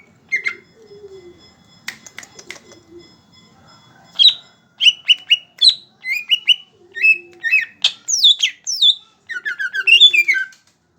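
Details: Greater green leafbird in full song, firing rapid bursts of loud, high, slurred whistles and chips in quick succession, after a few soft low notes and sharp clicks at the start.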